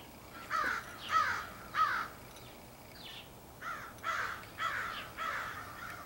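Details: Large extended group of crows, perhaps picking mates, 4 April 2015: loud harsh caws in two runs, three evenly spaced then four in quicker succession, with fainter calls between.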